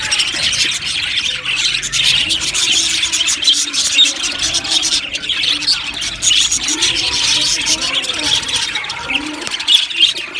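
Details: An aviary colony of Australian budgies gives continuous busy chirping, many birds twittering and warbling at once in a steady, high, rasping chorus.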